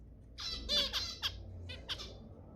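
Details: Zebra finch calls for stimulating breeding: a quick run of four nasal, trumpet-like beeps followed by a pause and two softer, similar notes, all short and bright against a low background murmur.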